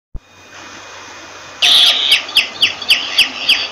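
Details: Myna calling: after a quiet start comes a loud harsh buzzy burst, then a run of about six sharp descending whistled notes, each roughly a third of a second apart.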